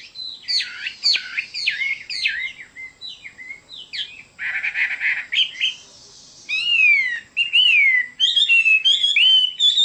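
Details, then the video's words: Song of a Chinese hwamei, full of variety: loud downslurred whistles, a harsh buzzy burst, then sweeping slides and bright rising phrases. "Chim họa mi đẹp và hót rất hay"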